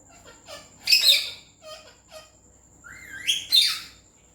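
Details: Indian green ringneck parrot, said to talk in Urdu/Hindi: soft syllables build to a loud harsh burst, then quiet mutters, then a rising tonal glide into a second loud rasp.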